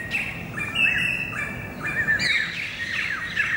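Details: Greater racket-tailed drongo song recorded 7 February 2018, mixing clear ringing whistles with harsh rasping chatters in quick alternating phrases, some notes layered at higher pitch, over low background noise.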